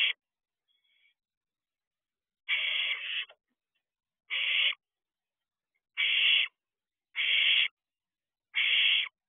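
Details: Barn owl owlet in a nest box at night, 12:49 am on 7 June 2023, giving harsh rasping hisses in separate bursts under a second long, five in all, about one every one to two seconds, otherwise silent.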